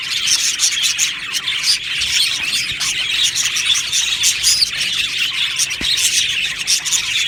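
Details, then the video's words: Happy budgerigars in an aviary colony, overlapping squeaky chirps and warbles from many birds, with one sharp click near the end of the busy chatter. "Budgie Sounds for lonely Budgies | Happy Budgies Birds Sounds | birds Chirping Sounds"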